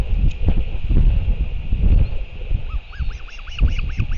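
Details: Royal albatross in New Zealand, father arriving at the nest to feed the chick on an evening in March 2023; after wind-dominated seconds, a rapid series of rising-falling nasal notes begins and continues to the end.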